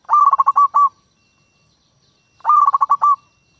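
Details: Two rapid phrases of staccato cooing from a local zebra dove used as a lure for wild doves, each phrase about eight quick notes, separated by a second and a half of silence.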